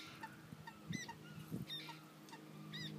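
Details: Common moorhen (Gallinula chloropus), chick calls.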